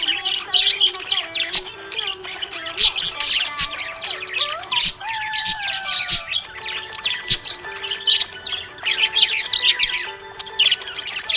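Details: Cheerful budgerigar chatter: quick bursts of high-pitched chirps, scratchy squawks and warbles in a steady flow, with music playing throughout and a sliding tone in the middle.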